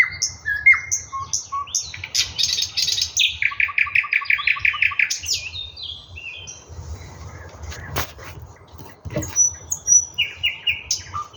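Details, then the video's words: Russian thrush nightingale in full song: varied phrases of sweeping whistles, a fast throaty rattle and rhythmic clicking notes repeated about twice a second, with pauses between. "Nightingale singing Russian соловей восточный"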